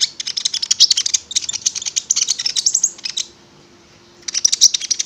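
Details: Konin (prinia) singing as a lure to start the bird singing: long run of rapid, high, rattling ticks and buzzes, a pause, then another fast burst.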